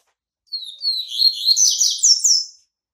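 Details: Yellow-bellied seedeater, white-breasted Bahian type, coming out of moult, singing a loud, fast song of rapid twittering and sweeping whistled notes, descending slurs near the end, lasting about two seconds in a quiet room.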